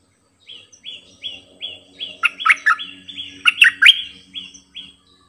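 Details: Bulbul kept as a decoy bird, singing many songs: a run of short rising whistles repeated every third of a second, broken by two bursts of loud, bubbly warbled phrases, with a faint low hum underneath.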